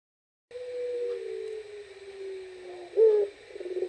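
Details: Puter pelung turtle dove calling at night: a long, steady, low drawn-out coo held for over two seconds, then a short higher, brighter note near the end and the start of a further pulsing coo.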